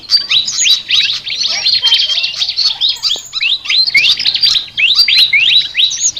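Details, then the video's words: High-pitched flycatcher chatter, known as ngoceh: rapid clusters of sharp rising chirps repeated in bursts, separated by brief gaps, with a few level whistled tones. "BURUNG SIKATAN NGOCEH TER UNIKK"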